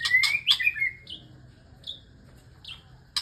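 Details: Male white-rumped shama courting a female: a burst of loud chattering notes and a bright slurred whistle, followed by sparse, short high whistled notes spaced about a second apart, then a final sharp chatter.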